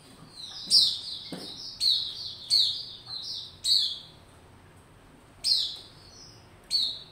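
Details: Captive white-rumped shama warming up and singing to build form, 27 December 2021: loud bright whistles, each phrase opening with a sharp high sweep and settling into a steady note, spaced irregularly with pauses.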